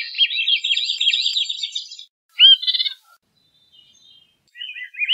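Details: Veery producing a rich, rolling descending phrase, then a sharp downslurred call note, near silence, and a final short upward-rising fragment.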